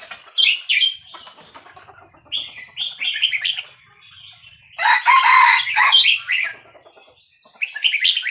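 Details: Wild Vietnamese-type red-whiskered bulbul youngster, sound used to train young birds: bright chirpy phrases in bursts, interrupted midway by a louder, rougher harsh call, with a steady high hiss throughout.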